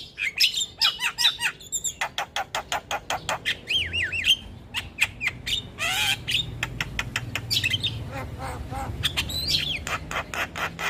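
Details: Energetic Javan myna singing, recorded as a tutor for all kinds of mynas: long rapid series of dry clicks and ticks mixed with wavering, warbled whistles and squeaky, chattering phrases.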